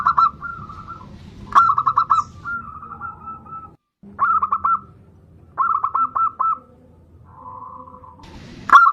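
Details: Zebra dove bodronoyo song for luring other birds into singing: several short phrases of rapid, mellow cooing notes separated by pauses, some phrases softer and smoother, over a faint low hum.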